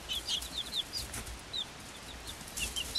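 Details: A group of Swedish Flower Hen chicks, five weeks old, hatched 26.02.2022, alongside a same-age Silkie chick, utters sparse high peeps in short clusters at the start and end, with quiet gaps and faint rustling.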